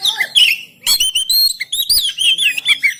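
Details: Oriental magpie-robin in Banten, Indonesia, recorded on an Android phone to train silent birds to sing. Loud, rich, unbroken warbling of looping whistles and slurred notes with scarcely a pause.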